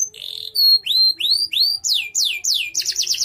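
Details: Canary kept for singing competitions and for tutoring other birds; a buzzy burst, then clear rising whistles and falling swept notes repeated roughly three per second, ending in a quick rolled trill.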